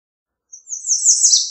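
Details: High, thin American redstart song: a quick accelerating series of sibilant notes rising and sweeping, about one second long, in clean, quiet surroundings.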